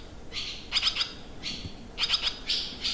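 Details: Barn swallows recorded at a rural campsite in Limousin, France, 25 June 2023, giving buzzy trills alternating with quick bright chirp clusters, repeated several times over a few seconds.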